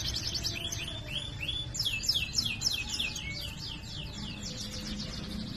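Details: Tutoring recording of a gacor canary singing ngerol rolls and sharp nembak bursts: rapid series of high, descending whistled notes in rhythmic runs, with a faint low hum beneath.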